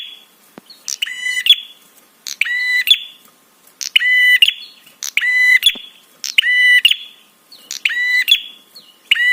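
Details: Provoking call of a prenjak, or prinia: grating, harmonic-rich buzzes repeated steadily, about fifty bursts a minute, each with a short whistled lead-in, with nothing else audible.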